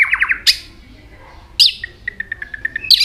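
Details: White-rumped shama singing many varied notes while flicking its tail; trilled whistles alternate with harsh high bursts, ending with a quick series of short clipped notes.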